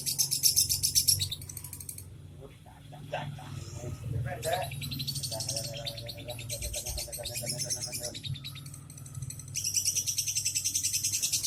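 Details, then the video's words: Young lovebird performing ngekek song with short pauses: long, rapid, harsh rattling trills in several bursts, the loudest at the start and end, with a quieter chattering stretch between and low background hum. "Love bird baby ngekek jeda rapet"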